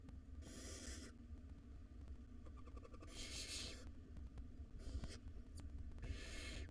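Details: Wild barn owl nestlings, five in a nest box, hiss and screech for food at dinner time; four broad noisy bursts spaced one to two seconds apart, with low background hum and faint clicks.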